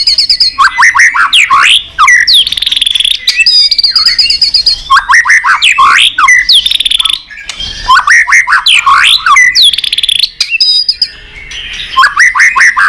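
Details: White-rumped shama in an energetic, long competition song used as a lure: bursts of rapid descending whistles and buzzy trills repeated in bouts every few seconds, with brief pauses between.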